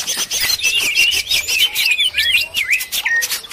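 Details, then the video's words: Noisy cucak ijo chatter assembled to lure birds: dense high chirps followed by clearer slurred whistles that dip and rise, delivered in quick succession with faint low background noise. "suara burung ribut || burung ijo ribut"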